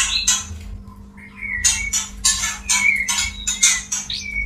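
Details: Male white-rumped shama wooing a female: a run of harsh, noisy high bursts with short whistled notes between them, over a constant low hum.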